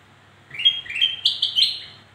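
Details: Black-crested bulbul song used to draw out reluctant singers: five sweet whistled notes, each a little higher than the last, delivered quickly in one phrase, then fading; soft low hum underneath.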